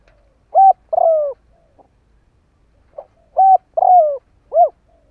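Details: Spotted dove decoy bird calling to stir wild doves. Two mellow three-note coo phrases about three seconds apart, each a flat coo, a long falling coo and a short arched coo, preceded by a soft low note.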